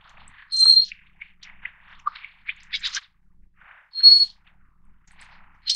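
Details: Sharp, very high, level whistles from a Little Forktail of the Taiwan subspecies fortis come a few seconds apart. Faint clicks and small chirps fill the gaps.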